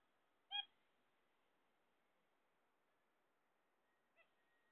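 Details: A pet zebra finch, kept while its owner awaits eggs, gives two short, nasal, trumpet-like calls about four seconds apart, the second much fainter, over a quiet background.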